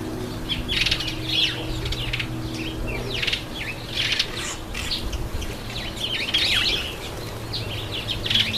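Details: Red-headed finch, also called Red Headed Amadina, taking a bath; short bright chirps and twittering notes come in scattered bursts over a steady low hum, with faint splashing and fluttering between calls.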